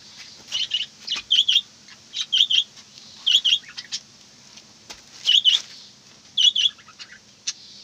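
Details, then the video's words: Budgerigar chatter of sharp doubled chirps repeated roughly every second in an uneven series, with small clicks and twitters between and a constant low hum underneath. "বাজরিগা পাখির ডাক এবং গান"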